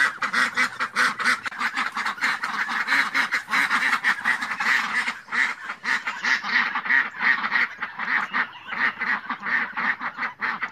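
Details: Ducks give a long run of rapid, raspy quacks, the calling dense and overlapping throughout, slightly softer toward the end.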